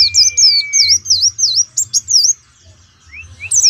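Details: An Oriental white-eye at a pleci songbird competition in Pemalang sings a rapid, high run of thin, sweet chirps and trills, about three notes a second, over a low background hum.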